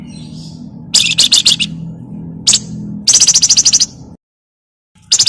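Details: Lure chatter of a Javan myna, 'crecetan' style, to coax other birds to sing: scratchy bursts of buzzy notes, a lone sharp note, then a fast even rattle of about ten pulses, with a steady low hum.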